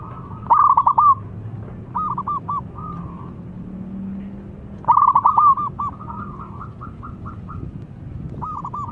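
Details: A local zebra dove sings soft, rapid cooing trills of bubbling notes around one pitch, in bursts repeated every few seconds over a low background hum; used as a lure to stimulate silent doves to sing.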